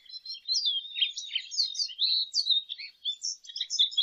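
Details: Quick, continuous twittering song of a lesser goldfinch, full of high slurred whistles and buzzy chirps without a break.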